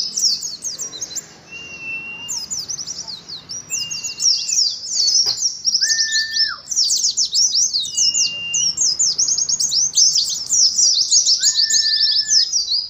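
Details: Oriental white-eye in ngalas style, caged with a colony: twittering high phrases repeat almost without pause for the whole stretch, joined by several short, level whistles and one lower bent whistle.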